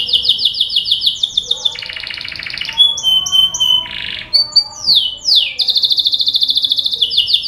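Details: Canary singing a lure song meant to prompt other canaries to sing: fast, high rolling tours of repeated notes, switching between sweeping slurs, a buzzy rattle, short whistles and a long rapid trill at the end.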